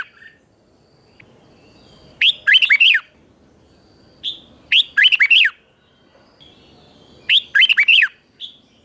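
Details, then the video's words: Red-whiskered bulbul in a 2024 morning song-training session, singing 'chè' style: three similar bright, warbled phrases, each starting with a clipped note and followed by rapid looping syllables, repeated roughly every two and a half seconds. "Luyện chào mào hót sáng 2024, QUÁ HAY - CHÉ KÍCH BỔI CĂNG ĐÉT, luyện chào mào hót căng lửa"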